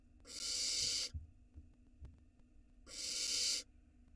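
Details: Barn owl nestling in Israel, 2022, seen on a nest cam gulping a gigantic rat; a raspy hiss, faint thumps and rustling, then a second equally long, breathy hiss.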